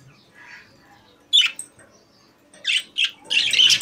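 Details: Budgerigars kept in a cage: near silence, a single sharp squeak, then a pause before several quick chirps and a short buzzy chattering phrase at the end.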